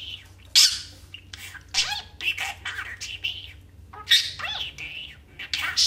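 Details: Pet male budgerigar talking, mimicking Clint Eastwood and Burn Notice quotes mixed with nonsense chatter: rapid bursts of raspy, speech-like syllables and squeaky chirps at irregular intervals, with a steady low hum underneath.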